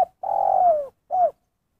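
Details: Spotted dove, 'kuk satu' call style: a long, level coo that bends downward at its end, then a short curved closing note, recorded close and quiet.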